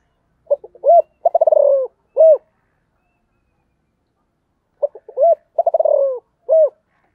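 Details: Spotted dove repeating its phrase twice, about four seconds apart: clipped introductory notes, a rising-falling coo, a rapid pulsed descending roll, and a closing arched coo, in clean quiet surroundings.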